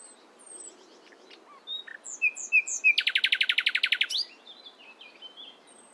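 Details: Morning song of a nightingale: a few soft high whistles and slurred notes lead into a fast, rhythmic burst of roughly fifteen harsh repeated notes, followed by quieter scattered twitters over faint background hiss.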